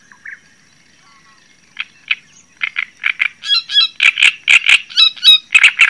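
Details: Java sparrow song that opens with a few sparse soft chips and then builds into a quick, loud series of sharp clucking notes mixed with bright, ringing, bell-like notes.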